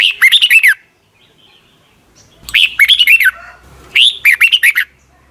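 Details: Caged Red-whiskered Bulbul from Thailand, its song played each morning for young birds to learn: three bursts of rich, bubbling whistled notes that rise and fall, each under a second long, with quiet gaps between.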